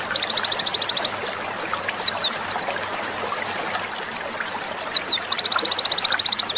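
A Winter Wren sings a long, tumbling run of very high, rapid trills and tinkling notes, shifting pattern every second or so without a pause.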